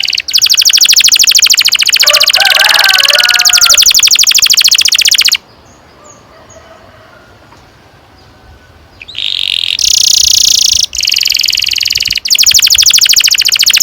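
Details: Canary's long rolling song, played to train young birds to sing: dense, rapid buzzy trills pour out for about five seconds, then a quiet pause before the rolling trill resumes, strong and continuous.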